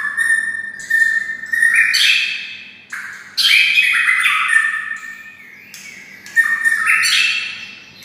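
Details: White-rumped shama kept near red-whiskered bulbuls, its song sounding bulbul-like. Loud, full, warbled whistled phrases rise and fall, with a short break near the middle.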